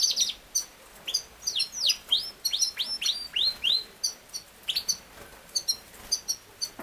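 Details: Yorkshire canary, also known as king size canary, singing a lively song of sharply falling whistled notes, often in quick pairs or runs, with brief pauses and high chips between phrases.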